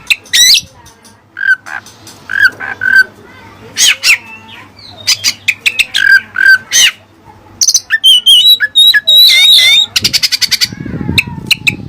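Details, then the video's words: Oriental magpie-robin (kacer) singing with learned Cililin material from other birds: varied loud whistles, sharp notes and buzzy rattles around 2 to 4 kilohertz, rapid trills near the end, faint steady hum below. "Burung Kacer Isian Cililin"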